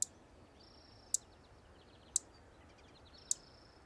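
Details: Savannah sparrow giving chip notes: four very short, sharp high chips roughly one second apart, over faint background hiss.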